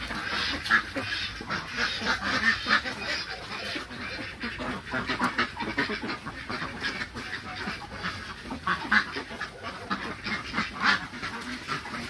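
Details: ['Ducks on a farm in Nepal: a dense, overlapping din of many nasal quacks and chatter from a large flock, continuous and irregular, with no single bird standing out.']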